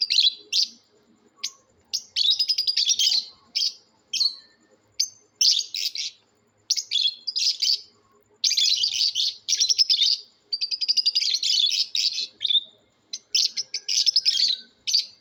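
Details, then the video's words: Lovebird calling competition with natural sounds: many piercing, buzzy chirps and chattering runs in irregular bursts, some single sharp notes and some longer rasping strings, with short silences throughout. "love birds natural sounds competition"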